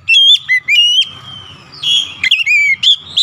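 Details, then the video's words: Excited Oriental magpie-robin song: several loud whistles with quick upward and downward slurs, a long sustained drawn-out whistle, then a fast run of sweet varied notes, with faint low rumbling beneath. "SEKALI PUTAR AUTO KACER ANDA LANGSUNG EMOSI TINGGI BONGKAR ISIAN"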